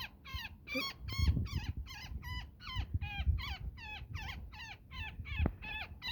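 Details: Distressed woodpecker trapped in netting during rescue, repeating harsh, buzzy squawks with falling ends in a steady fast run, accompanied by rustling and handling noise.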